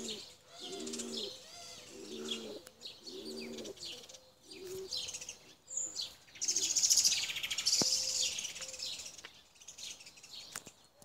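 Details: Tumbler pigeons, including blue Çakmaklı birds, kept for flying: several deep rolling coos in the opening seconds, then a dense burst of high shrill chirping from other birds with a few sharp clicks.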